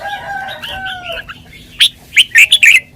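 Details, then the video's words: Red-whiskered bulbul in 'lak wai' song style, sweet-toned: a smooth, slowly falling whistled phrase, then loud, sharp bursts of chirps repeated rapidly near the end. "นกกรงหัวจุก 626 จ้าวมาดี ลากหวาย หวานๆ"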